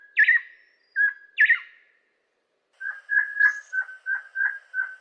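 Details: Crimson-headed Partridge, or bloodhead, of Bornean montane forest: loud, ringing, metallic ring-ying notes, two sharp paired phrases followed after a pause by a steady run of seven clear ringing notes.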